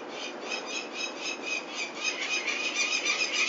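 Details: Harsh, rapid kek-like notes from a peregrine falcon at Venlo, Netherlands, on 21 May 2024 during removal of the chicks for ringing, about three or four per second, growing louder toward the end.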